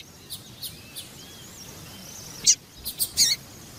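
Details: Calling female papa-capim (double-collared seedeater), whose calls serve to stir males into song: a few soft high ticks, thin faint whistles, then a loud cluster of bright chirps near the end.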